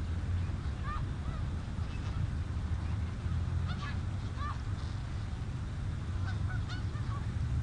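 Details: Snow geese calling on the Richelieu River: loose, irregular honks, some doubled, spaced over several seconds above a constant deep background rumble.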